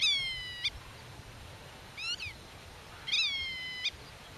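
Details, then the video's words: Nest-defending black-tailed godwit near its hidden young, giving drawn-out nasal calls that drop then level off, plus a short rapid chevron-shaped call in between; light background hiss. "Rycyk w obronie gniazda - Limosa limosa"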